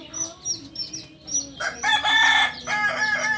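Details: A Kokok Balenggek rooster, the native singing chicken of Solok, on a farm in Solok city, lets out a short, harsh crow with a bright peak and a stepped tail, following soft high chirps from small birds.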